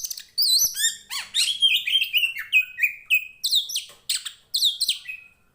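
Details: Oriental magpie-robin, a Tretes 'poci' kacer of fighting type, singing nonstop: rapid varied phrases of sweeping whistles, upslurred notes and buzzy chatters, high-pitched and densely packed with brief pauses between bursts; recording used to train birds of the same kind.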